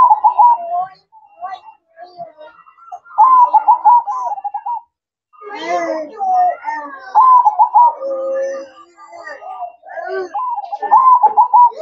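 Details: Zebra dove singing at night: soft, rolling trilled coos in bursts of about a second, repeated several times, interrupted midway by indoor voices and chatter.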